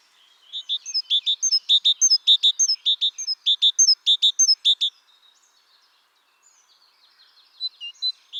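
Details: A great tit, the biggest tit species, sings from its rich repertoire: a long run of fast repeated two-plus-one note phrases, ringing and metallic, for about four seconds, then a pause and a few softer scattered notes before another phrase.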